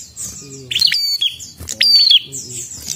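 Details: Prinia singing vigorously and persistently: sharp, high metallic chirps and short buzzy notes in bursts, some with ringing stacked overtones, separated by pauses, with a low murmuring human voice underneath at the start and end.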